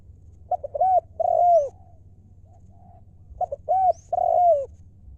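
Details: Spotted dove cooing in the 'liu' style: a few short clipped notes, then a looping coo and a long sliding coo, the whole phrase given twice about three seconds apart over a low steady hum.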